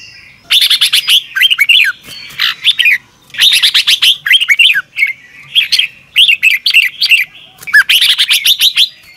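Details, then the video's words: Red-whiskered bulbul morning song, double-twist voice, recorded as a lure to train birds: near-continuous bursts of chattering, buzzy notes and lilting, bouncing whistles, in many short phrases for about nine seconds. "Luyện chào mào hót sáng 2022 - Hót hay nhanh căng lửa | Ép bổi Giọng xoắn kép 6789"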